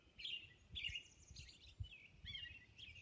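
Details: Robin singing at dawn on Orcas Island: short, high warbled phrases with brief pauses between them, over a low outdoor background hum.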